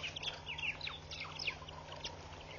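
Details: Hundreds of red-billed quelea swarm a bush at Pete's Pond, Mashatu Game Reserve, Botswana, in August. A dense stream of quick, high chirps and twitters overlaps continuously, with a constant low hum beneath.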